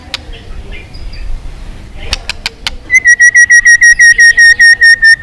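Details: White-rumped shama fighting song for voice training and stirring birds to sing: after a quiet start with faint clicks, a steady run of about a dozen short, even whistled notes repeated rapidly at one pitch.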